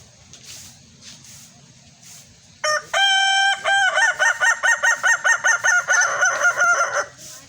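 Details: Red Kukuak balenggek rooster crowing in the evening: after quiet background, one long clear opening note, then a rapid string of about thirteen stepped, warbling syllables, evenly pulsed, ending abruptly.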